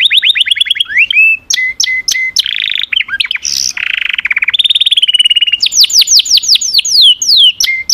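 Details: Singing canary delivering a varied sequence: quick descending whistled notes, a series of short repeated chips, a buzzy rattle, then fast sweeping downslurred notes repeated in a rhythmic series.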